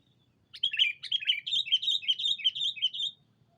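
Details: Sooty-headed bulbul lure call used to draw in a rival: a fast run of bright, slurred chirps, about eleven notes in under three seconds, each note dipping then rising, over faint low hum.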